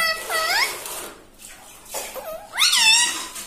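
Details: Pet parrot speaking like a person indoors: a nasal, rising, harmonic word, a hushed pause, then a louder squeaky phrase that climbs and falls, with a steady background hiss.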